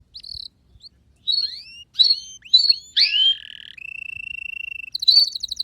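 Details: Canary song: clear whistled notes and quick upward slides, then a long steady whistled tone near two seconds, ending in a fast buzzy trill; no other sounds.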